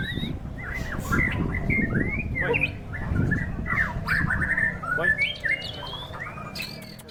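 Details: White-rumped shama singing at a songbird contest in strong wind: quick whistled phrases, rising and falling slurs and short trills follow each other almost without pause. Other birds call faintly, and a steady low rumble of wind and crowd noise sits underneath.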